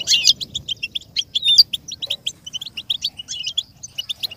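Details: A European goldfinch sings a fast, tinkling run of bright, high, steady chirps and twitters, played as stimulation for goldfinches to learn and imitate sounds. No other sounds.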